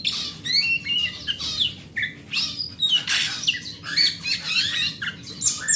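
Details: Oriental magpie-robin (kacer), a large-bodied grade A bird kept as a home hobby bird, sung as a lure to prompt other magpie-robins to sing: varied whistled and harsh phrases, rising and falling notes, scratchy bursts, steady low hum behind.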